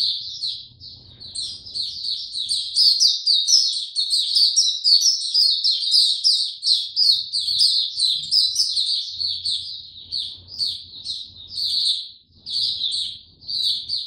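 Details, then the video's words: Captive white-eye given no health supplements, recorded 29 April 2022, opening into song: a continuous, rapid, high twittering warble of tumbling chirps and sweet trills, with pitch briefly rising in places, over a faint low hum. "Mata Puteh Hercules buka sing"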